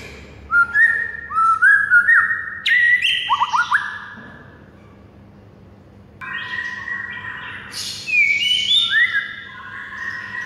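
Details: Varied morning song of a white-rumped shama, used as a master for other birds: rising and falling whistled phrases, buzzy notes and quick chirps in two bursts separated by a two-second pause, low hum throughout.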